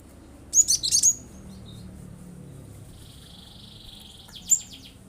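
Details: Cinereous tit singing actively with 'shooting' bursts meant to provoke other birds into singing: a loud cluster of rapid, harsh high chirps, then a faint, thin high trill and one final sharp note.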